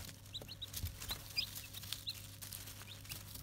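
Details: Brahma chicks hatching in an incubator: faint, high, short peeps scattered irregularly over a steady low electrical hum, with a few soft clicks.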